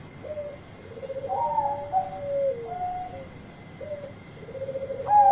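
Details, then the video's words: Loud companion-calling song from a Bangkok zebra dove: low trilled coos overlap higher sliding notes, pauses, then short rolling phrases end in a bright, louder coo, with a faint constant whine throughout. "Perkutut Bangkok Gacor Suara Keras Panggil Teman"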